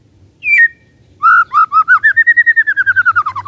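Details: White-rumped shama giving kretekan, a call meant to stir up emotion in other birds: a short high slurred note, then a long run of about twenty rapid rattling whistled notes that rise slightly and then fall.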